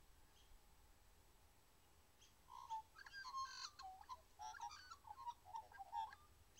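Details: Magpie calling faintly from a distance: a loose series of short, harsh, chattering notes with a few clearer tonal notes, coming in bursts after a quiet start, over low steady background noise.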